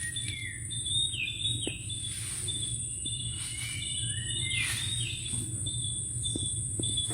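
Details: Wild birds singing in the Sundarbans forest, a short walk from a boat: several clear whistled phrases, some rising and some falling, over a steady high insect drone and a low hum.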